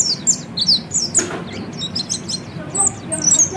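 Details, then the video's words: Peleci, the Oriental white-eye, giving ngeriwik song for training birds to ngeriwik and ngepelong; short bright chirps, some sliding downward, delivered in uneven quick bursts with one brief broadband click. "kicau burung peleci ngeriwik"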